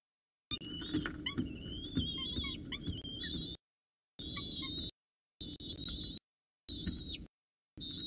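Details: Peregrine falcon family at the Orange CSU nest, early morning of 26 October 2019, the female feeding chicks after the male delivers food; rapid, shrill, wavering harmonic cries repeat in quick runs, cut by brief silences.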